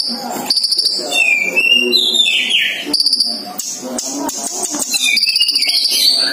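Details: Sunbird singing while a male and female share one cage. A varied, high phrase mixes rapid trills with sliding whistled notes that fall then rise, with music playing underneath.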